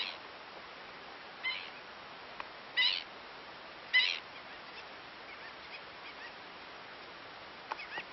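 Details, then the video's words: Several egrets quarrelling, probably over food, unsettling the other birds around them: a few loud, grating squawks at irregular intervals separated by quiet stretches, with faint clicks and distant calls between. "Discusión de garzas"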